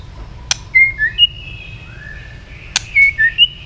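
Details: Tail-flicking white-rumped shama giving fighting song: a single sharp click, then a phrase of clear level whistles. A second click is followed by a similar whistled phrase of four notes.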